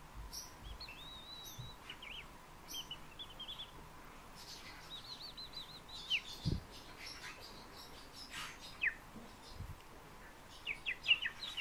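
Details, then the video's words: Fieldfare giving high squeaky warbled notes and twittering fragments in irregular bursts, mixed with clicks and low thuds. "Turdus pilaris рябинник"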